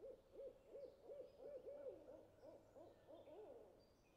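Tawny owl giving a rapid run of about a dozen short, mellow hoots, each slightly arched in pitch, about three per second, softening toward the end.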